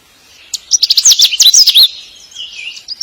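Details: Male bird calling for a mate: a fast burst of sharp, high chirps and twisting whistled notes lasting about a second, then softer trailing twitters.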